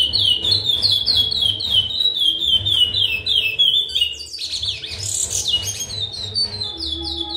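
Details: A breeding male chestnut-bellied seed finch sings a fast run of clear down-slurred whistles, about three or four notes a second, with a brief harsh burst midway and a low hum beneath.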